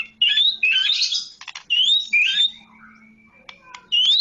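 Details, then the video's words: Medan-type white-rumped shama delivering bright, high whistled phrases with upward-sweeping notes, broken by short silences and a few faint clicks, with a soft steady hum underneath. "kicau murai medan"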